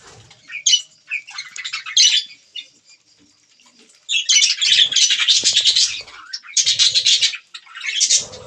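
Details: Budgerigars eating green food: scattered sharp chirps, then a quiet gap, then dense rapid chatter of squeaky warbled notes in long bursts, with soft low taps.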